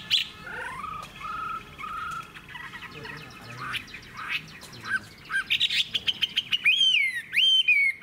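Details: Wild-caught adult Chinese hwamei in a cage, long-bodied with a fig-leaf tail: a mixed first half of scattered chirps and short whistled notes, then loud, clear looping whistles in rapid bursts during the last seconds.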